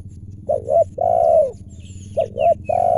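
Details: Spotted dove in the wild, lured while being trapped in Indonesia; two back-to-back phrases of paired short hoots and a long level coo, over a low rumbling background and faint high chirps.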